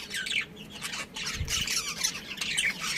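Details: Budgerigars, a breeding pair with family, chirping: dense overlapping high squawks and chattering twitters fill the clip, with a brief low thump near the middle.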